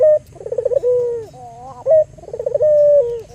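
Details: Albino Barbary dove used to draw out other doves' calls. Opening short note, then a rapid, quavering pulse run leading into a long, level-then-falling coo, repeated twice in quick succession.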